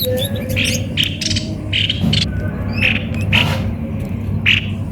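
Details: Harsh chirped notes from a cucak kopi-kopi, delivered irregularly at nearly one per second, with a continuous low background hum.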